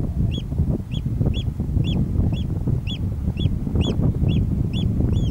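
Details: Oystercatcher calling on Ceann Ear island, 25 July 2011, while someone runs through rough grass: shrill piping notes repeated about twice a second, eleven in a row, over heavy wind and footstep rumble.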